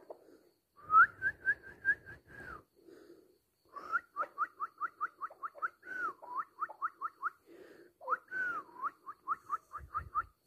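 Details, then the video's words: Chukar partridge calling in bursts of short, clear, whistled notes. Several notes rise or swoop, with brief gaps between the bursts and low rumbling noise at the start and end. "Кабки сурак"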